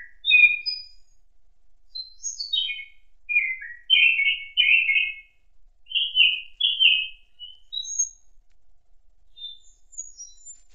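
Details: In an autumn forest, a thrush sings a long warbling run: descending whistled notes flowing into a cluster of louder slurred notes, then softer high thin notes at the end.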